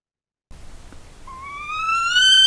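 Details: A Northern Saw-whet Owl gives its agitated whine, a call used on wintering grounds: a single drawn-out, cat-like whine rising slowly in pitch and swelling in loudness, over faint hiss.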